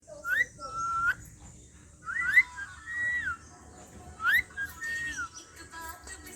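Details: Pet parrot, said to swear. Clear whistled notes rise and bend, each phrase a quick upslur followed by a level or falling tone, given in three groups about two seconds apart over a quiet room background.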